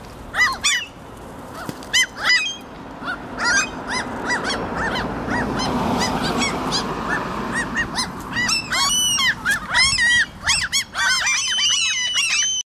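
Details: A flock of common gulls, with a few lesser black-backed and black-headed gulls present, excited after just receiving food in Helsinki, Finland, June 2013, gives overlapping high, mewing and yelping calls in a rapid chorus, with a steady background rush.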